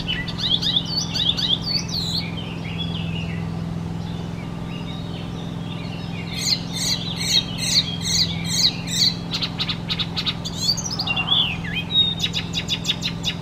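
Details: Icterine warbler, a songbird that imitates the voices and songs of other bird species, singing a varied, fast medley of high chirps, trills and whistles, with bursts of sharp clicking notes in the second half over a steady low hum.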